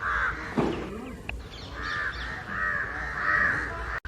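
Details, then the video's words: Group of house crows and jungle crows mobbing someone, cawing loudly as they fly; drawn-out, grating caws blend into a sustained chorus, with a few clicks and a sharp knock at the end. "Crow Cawing loud - United Crows Flying & Crowing against someone"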